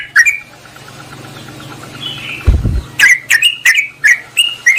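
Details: Yellow-vented bulbul lure call aimed at a rival: a faint note, a quiet pause with a low thump and hum, then a quick run of bright, slurred chirps.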